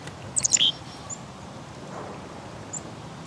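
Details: Black-capped chickadee calling with a rapid cluster of very high sharp chips. A short lower note ends the cluster, then a couple of faint distant chips follow in otherwise quiet surroundings.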